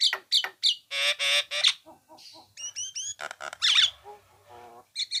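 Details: For songbird training, a Nias hill myna pours out harsh buzzy screeches, a run of paired upslurred whistles, and a low nasal rattle, with quieter faint chattering between louder phrases.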